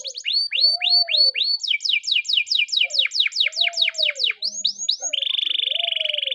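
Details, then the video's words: Canary training song recorded in the morning: repeated upward-hooked whistles alternating with rapid descending note series, ending in a fast even trill, with a soft lower warble between phrases. "the best canary training song in the morning!! champion canary master"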